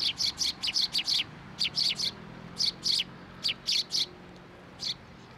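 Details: A group of sparrows visiting a feeding post at a Tenmangu shrine on 10 October 2023, giving loud, high, rapidly repeated chirps in clusters of two to five, with short gaps between clusters.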